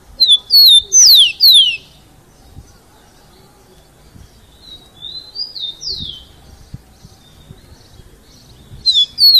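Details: Rufous-collared sparrow, a young bird being trained, singing the Jesus Meu Deus song style: clear high whistled notes followed by sharp descending slurs, a pause with soft distant whistles, then the phrase starting again.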